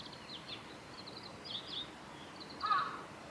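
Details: High, thin chirps and short downslurred notes from Japanese white-eyes in cherry blossoms at Suga Shrine, 23 February 2019. A single lower, harsher call sounds near the end.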